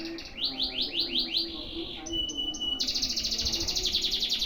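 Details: Canary delivering long single-breath song: a series of falling slurred notes, a few clipped whistles, then a fast, even high trill rattling to the end.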